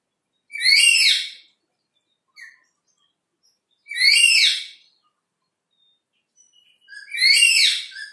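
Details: Black-capped lory chattering nonstop behind a window: three loud, harsh, rasping screeches, each under a second long, spaced about three seconds apart, with a faint short note between them in a quiet room.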